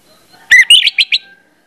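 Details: Orange-headed thrush lure song meant to trigger singing: a quick run of four or five bright, chirpy whistled notes within under a second, with faint tonal background sounds.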